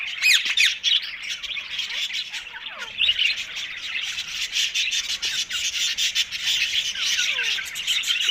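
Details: Ringneck parrot calls while eating, loud overlapping harsh squawks and quick falling chirps in a busy, unbroken chatter with sharp bursts every second or so.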